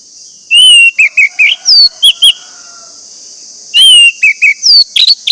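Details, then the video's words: Orange-headed thrush song played to prompt caged birds to sing: loud, clear whistled phrases of quick rising and falling notes in two bursts, separated by a pause with a steady high hiss. "pancingan anis merah agar anis merah macet cepat bunyi dan gacor"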